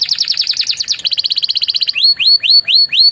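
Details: Canary master song with Javan tesia and bar-winged prinia phrases: a fast rolling high trill, then a quicker even rattle of notes, then a series of sharp upslurred whistles repeated about every third of a second.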